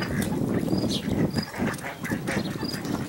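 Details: American black duck and mallard hybrid at Port Colborne on August 11, 2022, giving low, rough quacking notes amid noisy, broadband background sound with scattered higher ticks.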